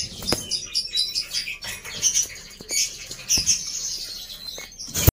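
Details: Black-winged myna singing busily and noisily, used as a lure to get quiet mynas to sing: dense scratchy chattering of high squeaky notes and whistles, with sharp clicks and wing-flap-like bursts, ending abruptly.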